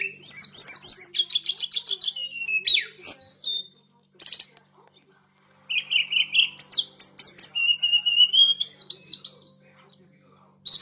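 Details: A blood-breasted flowerpecker pours out high, squeaky phrases: fast trilled chips and downward slurs, then a silent gap. Bursts of buzzy notes and level whistled trills follow, separated by short pauses, with a soft low hum in the background.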